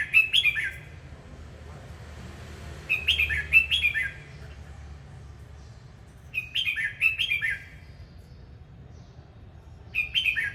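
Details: Red-whiskered bulbul singing while performing its dance: short, lively warbled phrases of three or four liquid, slurred notes, given in bursts roughly every three to four seconds with quiet gaps between, over a faint low hum.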